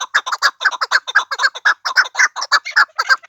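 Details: Pamir chukar delivering a rhythmic series of gravelly chuk notes, about two each second, closely spaced and evenly loud throughout.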